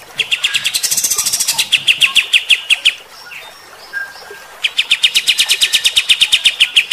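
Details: Bulbul with a rough, aggressive 'tembakan' song for provoking fighter-type birds: quick chattering note series lasting about three seconds, a pause with scattered soft chirps, then another long run of rapid repeated notes.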